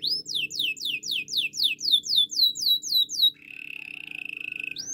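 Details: Male canary repeating clear swooping whistles about four times a second, then switching to a steady, flat buzzy trill.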